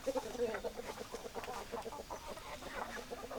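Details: Chickens clucking in a farmyard chorus, hens giving short repeated clucks at a brisk uneven pace, several birds overlapping, with steady background noise and no clear crow.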